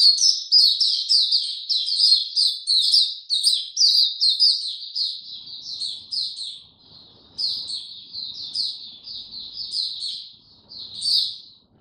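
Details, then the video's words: Mata puteh, the Oriental white-eye, singing on 2 May 2022 in a slow, easy opening style: a continuous stream of high, sweet twittered notes, dense at first, then in shorter bursts separated by brief pauses. "Mata Puteh Hercules buka sing go slow n easy"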